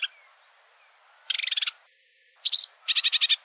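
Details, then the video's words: Sedge warbler (Acrocephalus schoenobaenus) song: quick bursts of seven or eight high, dry chattering notes, broken by a short sliding whistle, with faint background hiss. "Vogelstimmen: Der Schilfrohrsänger - Reed warbler - Acrocephalus schoenobaenus"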